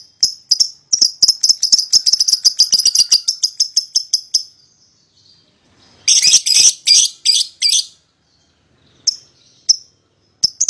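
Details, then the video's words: Paud lovebird pair singing to draw a rival into calling: a fast run of high, clipped chirps for about four seconds, a pause, then a burst of harsher, broad rasping notes and a few scattered chirps. "PASANGAN LOVEBIRD PAUD,!Pancingan Memanggil Lawan Agar Ikutan Bunyi"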